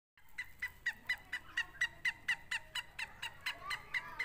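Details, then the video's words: Francolin, Sindhi and Punjabi birds in a calling contest: bright, clipped notes repeated steadily about twice a second throughout, with faint background hiss. "سندھی اور پنجابی تیتر کا مقابلہ"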